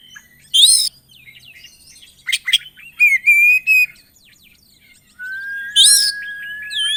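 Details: Kacer, or Oriental magpie-robin, singing full 'isian' song meant to provoke other birds: a sharp harsh burst, scattered quiet twitters, a short steady whistle, then a long low flat whistle under another loud burst.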